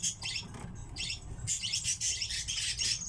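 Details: Captive common redpolls give rapid, dry, buzzy twittering calls in quick bursts, several birds chattering together over a low background rumble.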